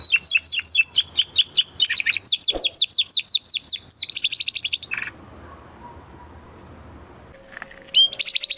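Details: Training song of a Spanish Timbrado canary bred in 2020: rapid repeated chips, a rattling roll and a buzzy trill, then a quiet gap with faint hum before another bright trill starts.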